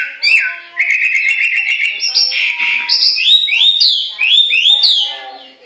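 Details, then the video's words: Chinese hwamei song: a fast, rattling trill of rapid repeated notes opens, then climbs into a series of bright, rising and upslurred whistles repeated in quick succession, loud and unbroken. "Amazing Hwamei Bird Singing"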